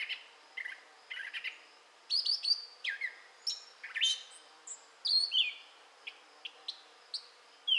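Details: Singing gray catbird, southwest Michigan, May 2011, a continuous medley of high chirps, sharp downslurred notes and squeaky whistles, phrases changing constantly and tumbling one after another.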